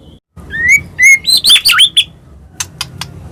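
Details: White-rumped shama song used to provoke other birds: rising whistled notes leading into a quick jumble of looping, up-and-down sweeping phrases, then three short sharp clicks after a brief pause.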